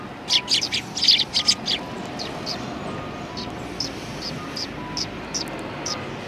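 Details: Eurasian tree sparrows, recorded 28 December 2019: a loud cluster of chirps at the start, then fainter single chirps spaced about every half second over steady background noise.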